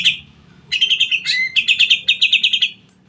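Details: Greater green leafbird in long 'nembak' song, played to prompt other birds to sing: a sharp opening note, silence, then a sustained run of quick high warbled notes with a slurred whistle in the middle.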